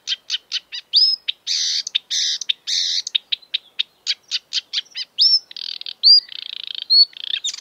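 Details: Exuberant marsh warbler singing a rapid, varied medley that mimics European and African birds: dense buzzy chatters, sharp ticks and short upslurred whistles tumbling together without pause.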